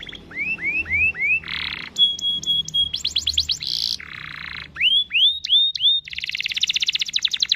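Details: Canary in long rolling 'gacor' song, used as a lure to set other canaries singing: repeated rising whistled notes, then buzzy rattles, a steady high tone with clicks, and a rapid bright trill to close.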